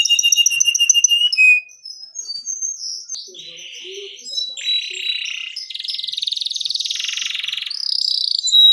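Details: Long, actively singing (gacor) canary song offered for baiting and mastering other canaries: rapid high trills and repeated piping notes, then sustained buzzy rolling trills and rattles, bright and continuous throughout.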